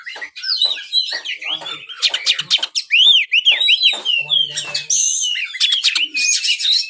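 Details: White-rumped shama kept as a songbird, delivering a rich, loud song: arched whistles, rapid chattering notes and buzzy high phrases in a near-continuous stream, with faint low sounds in the background.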